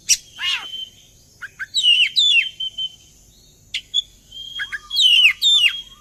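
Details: Magpie-robin lure song to make birds sing along: a sharp note, pause, then bursts of high twisting whistles and chirps, repeated in quick clusters.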